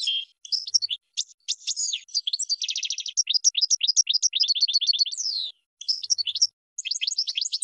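A goldfinch sings a fast, tinkling jumble of high twitters, buzzy trills and liquid notes, pouring out with only brief pauses.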